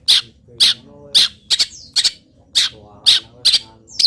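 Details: Moulting local long-tailed shrike singing a song filled with wild bird imitations; spaced harsh squawks about two per second, a sliding whistle, and faint low ringing tones in the background.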